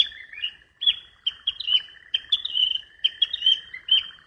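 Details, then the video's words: A flycatcher in the wild repeats short whistled chirps and slurred notes about every half second, fairly steady, over a faint background tone and light low rustling. "Burung sikatan di alam liar"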